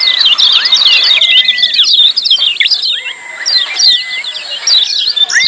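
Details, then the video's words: Lemon-bellied white-eye calling busily in 'ciak' style, meant to make silent birds sing: thick high chirping about four notes a second, with lower drawn-out whistles that rise, hold, then drop, and a quieter stretch mid-way. "Masteran Kecial Kuning Ciak Joss RIBUT RAME"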